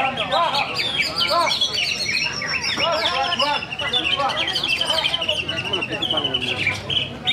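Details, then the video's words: Greater green leafbird singing a busy, varied stream of sharp chirps, slurred whistles and quick trills, densely packed and continuous, with faint human voices in the background. "Cucak Hijau ARSENAL Bikin Ulah Lagi!!!"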